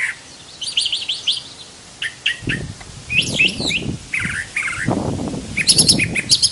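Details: A Brown thrasher, credited with about 1,200 song types, sings a run of varied chirped and slurred phrases, some dropping lower, over a steady low rumble.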